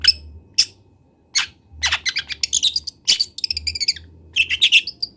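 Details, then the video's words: Young long-tailed shrike, a local bird from Kendal, learning to sing, used as a master recording for training birds: harsh scratchy bursts alternate with high, quick chirps and squeaky whistled notes, busier toward the end, over a faint low hum. "MASTERAN CENDET TROTOL BELAJAR BUNYI"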